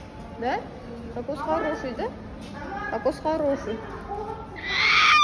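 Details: A pet cockatoo named Coconut chatters in speech-like, wavering syllables for about four seconds, then ends with a harsh, loud screech.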